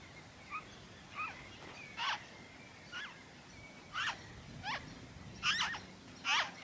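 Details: Noisy friarbird recorded in Victoria, Australia, in February 2023, giving scattered harsh nasal notes, first faint then louder, with a thin steady whistle from another bird running underneath and low background rumble.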